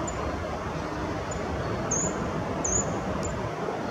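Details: A Short-toed treecreeper at Nieuwe Oosterbegraafplaats, Amsterdam, Netherlands, on 12 November 2020, gives thin, very high, piercing calls, a few scattered across four seconds, over a steady low rumble of distant traffic.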